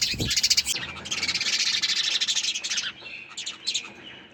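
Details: Sparrow chirping in a loud, dense rush of rapid high pulses, at first almost continuous, then thinning into separate sharp chirps toward the end, with a brief low thump at the start.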